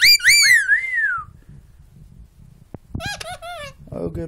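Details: Indoor pet bird, called loud-mouthed and talkative: a run of overlapping bright whistles sliding downward, a quiet gap with room noise, then a burst of rapid wavering chatter and a low murmur.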